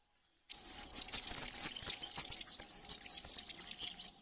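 A European serin sings a rapid, high-pitched jingling stream of glassy, buzzy trills that runs unbroken for nearly four seconds, with a faint low hum underneath.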